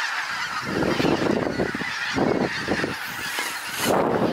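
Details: Hundreds of geese arriving over the trees and landing on a pasture, loud and impressive; a dense, continuous chorus of overlapping honks in repeated surges, with no single bird standing apart.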